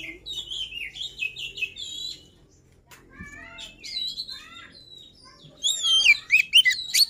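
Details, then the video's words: Luring song of a white-rumped shama: varied whistled phrases, falling slurs and short chirps, quieter in the middle, ending in a loud run of sharp, rapidly repeated whistles. "Suara Pancingan Poci | Kicau Kacer Gacor"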